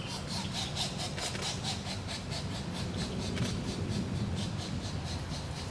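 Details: Two Pileated Woodpecker nestlings beg with rapid, raspy, repeated squeals about three times a second as a parent feeds them, recorded from far away in a forest preserve, over a steady low rumble.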